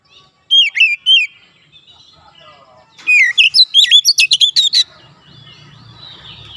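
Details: Oriental magpie-robin song played to train untrained birds to sing fast dense phrases: three slurred whistles, a pause, then a rapid run of about twelve sharp chirps and trills, fading into soft background noise.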